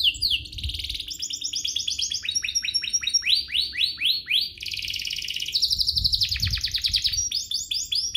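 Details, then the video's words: Canary song intended to make other canaries sing: continuous varied phrases of repeated descending chirps, rolled trills and whistled notes, each motif repeated several times before changing, with low rumbling background. "Pancingan kenari biar GACOR, kenari manapun langsung naik emosi habis dengar ini"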